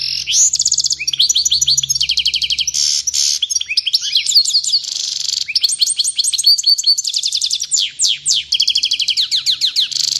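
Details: European goldfinch in an agitated song bout, a continuous stream of high, rapid twittering trills, liquid upswept notes and brief buzzy passages, with several short pauses between phrases.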